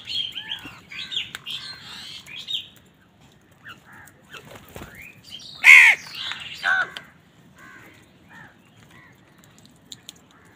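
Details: Crows fighting other wild birds for food on a winter morning; scattered harsh caws amid mixed chirping and squeaky calls, with a loud pair of caws midway and quieter gaps between.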